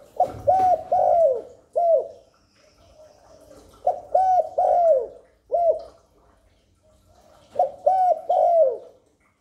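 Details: Spotted dove cooing to lure wild doves and stir newly kept birds. Soft, mellow, low coos in phrases of about three to four notes, each phrase separated by roughly three seconds of quiet.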